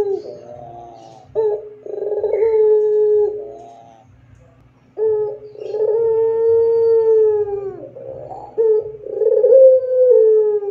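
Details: Barbary dove singing in the pelung style, a long, clear training song for other doves: deep drawn-out coos, each starting with a short rough note then holding a steady tone that fades slightly down, four phrases in eleven seconds with a faint background hum.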